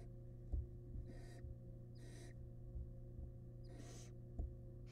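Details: Wild barn owl family in a nest box, with the father delivering a large rat. Three rasping hiss-screeches, each about half a second long, with a few soft knocks and a constant low hum.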